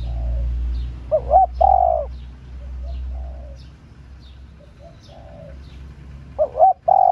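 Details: Female spotted dove cooing to excite male doves. Two phrases of quick short notes ending in a long, mellow coo, separated by a pause. A steady low hum and soft twittering run underneath.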